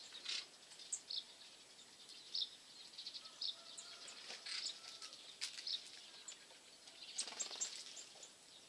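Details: Eurasian nuthatch at a bird feeder, eating and chasing off tits, giving short, sharp, high chirps in irregular bursts, with soft clicks and rustling nearby; 18 January 2016.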